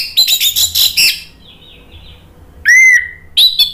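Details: Short burst of Orange-headed thrush song from a lure recording meant to anger a bird into replying: rapid scratchy high notes, a brief lull, a clear slurred whistle falling then levelling, and a final sharp chirp.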